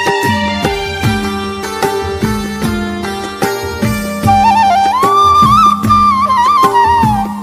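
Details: Traditional folk music with plucked strings and a flute melody.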